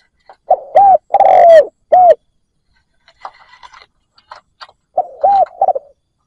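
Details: Cooing decoy spotted dove luring wild doves. A strong phrase of clipped and drawn-out coos, then faint chirpy sounds, then a softer, shorter coo sequence.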